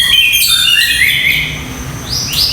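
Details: White-rumped shama with a 25 cm tail, kept in a cage, delivering rough 'tembakan kasar' song phrases: bright, high whistled notes sliding downward, then two quick rising sweeps, against a loud hiss.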